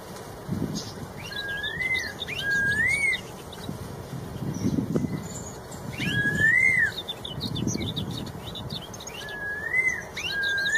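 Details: Red-tailed straw-headed bulbul singing actively in the wild: loud, rich looping whistles that rise and fall, repeated in phrases every few seconds, with higher thin chatter above and low rumbling background noise.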